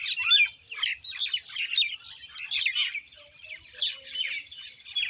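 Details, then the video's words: Common myna chattering: bursts of scratchy, squeaky notes mixed with clear whistled phrases, pausing briefly between loud outbursts. "Common Indian Myna Bird Sound Video | भारतीय मैना पक्षी"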